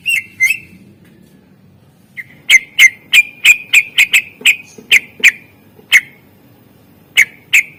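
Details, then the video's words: Greater green leafbird in a training recording with 'isian' filler phrases, meant to prompt quiet birds to sing: sharp whistled notes at one steady pitch, repeated about three times a second in bursts with short gaps, over a faint low hum. "Cucak ijo gacor SUARA ISIAN masteran untuk pancingan burung yang malas bunyi"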